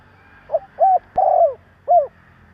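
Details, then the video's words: Single spotted dove phrase used to provoke other doves: a soft opening note, a husky coo, a long drawn, falling coo, and a short final coo. "Tiếng chim Cu gáy Gáy giọng bổi nghe cực ghét / Chim cu gáy kích bổi 100% mở là gáy"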